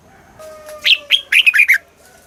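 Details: Red-whiskered bulbul song from Thailand in the southern master style, played to stimulate caged birds and teach young birds: a quick burst of sweet, bubbling whistled notes rising and falling, with a faint steady tone in the background.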